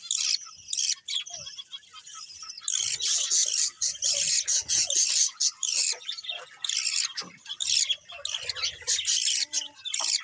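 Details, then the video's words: Colourful budgerigars, several birds, chattering together in dense, scratchy warbles and high chirps that run almost without pause, with a short lull near the first second before the flock chatter swells again. "Beautiful Colourful Budgies Chirping Sounds"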